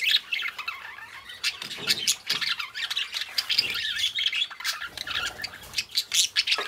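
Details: Several pet budgies keep up a constant high chattering warble, mixing rapid twittering notes with harsher squawky bursts, in overlapping continuous flock chatter.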